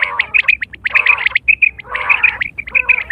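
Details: Quail call, September 2023, a call used for hunting and mating. Short rapid bursts of squawky stacked notes and bright high pips in three clusters, followed by human laughter.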